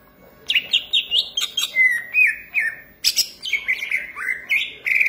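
A green leafbird sings a rich, varied run of clear whistles, warbles and sliding notes between about two and five thousand cycles, fast and jumbled.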